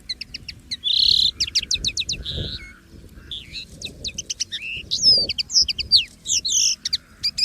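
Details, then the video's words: Wild common linnet in free song: a varied twittering stream of rapid clicks, brief buzzy trills and sliding whistled notes, phrases following one another with short gaps. "CANTO DO PINTARROXO Comum LIVRE na Natureza!!!"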